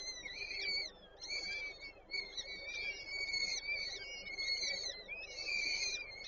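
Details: At a peregrine falcon nest in Warsaw's Żerań district, 8 May 2023, while the female feeds chicks: a near-continuous run of thin, reedy, wavering calls with rising and falling notes and brief pauses.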